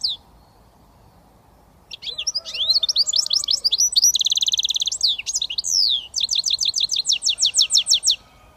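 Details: Goldfinch mule, a British finch hybrid, delivering switty-style song after a quiet start: quick high twitters, a dense buzzy trill, then a run of evenly repeated sharp notes.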